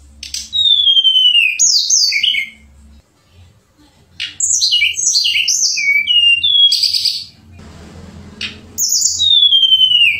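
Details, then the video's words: Tledekan pring shortwing singing gacor in bursts: a long falling whistle, then a rush of high chirps and slurred notes, a short noisy gap, and another descending whistle. "Terapi BURUNG TLEDEKAN PRING gacor nembak dan ngerol"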